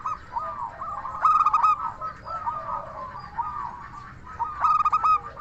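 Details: Local Indonesian zebra dove with a clear, 'crystal' voice, used as a lure to make other doves answer. Loud bursts of rapid, ringing staccato coos come twice, with softer overlapping cooing from other doves between them.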